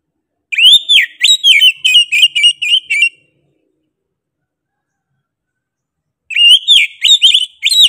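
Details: Energetic kacer song from an Oriental magpie-robin: two bursts of loud, clear whistles, each a rising note followed by rapid repeated chirps, separated by about three seconds of silence.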